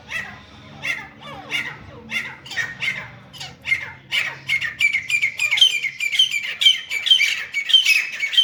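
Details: Fighting grey francolin, also called teeter or grey partridge, giving a long series of harsh, grating notes that repeat faster and faster, with thin high whistled tones creeping in toward the end.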